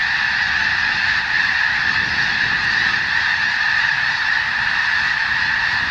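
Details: Thousands of snow geese on sprouting wheat in Washington State's Skagit Delta, pushed by cracker shells fired overhead. A continuous wall of yelping, nasal honks from the massed flock, with no gaps and even loudness throughout.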